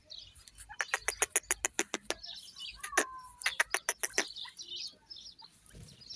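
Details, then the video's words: Grey francolin (teetar) calling: a loud run of sharp, harsh notes about three per second, broken by a short whistled note midway, with faint chirping of small birds behind. "Partridge nature awaz partridge Birds voice"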